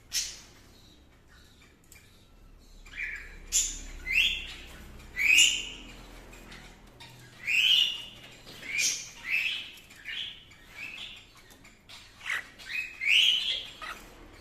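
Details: A proven breeding pair of cockatiels gives repeated short, bright chirps and squawky whistles, rising and falling in quick bursts.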